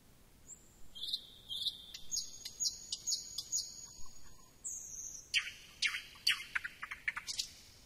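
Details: Thrush nightingale in varied song: a thin high whistle, then repeated clear piping notes about twice a second, followed by a jumble of loud sharp clicks and rattles.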